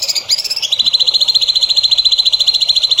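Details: Songbird on master audio for training young birds: a few high opening notes lead into a steady, very fast, even trill of sharp repeated pulses lasting over two seconds.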